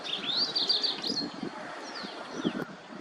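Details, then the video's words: White-browed wagtail giving a loud whistled phrase of rising and falling notes, sliding up and down in a high register for about a second, followed by fainter thin whistles over a light outdoor background. "Voice of White Browed Wagtail Bird"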